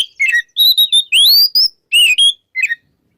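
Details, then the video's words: Morning song of an oriental magpie-robin in the loud ngeplong style: a rapid series of clear high whistles, some level and some rising, broken into short phrases and ending in a final chirp. "SUARA KACER NGEPLONG DI PAGI HARI"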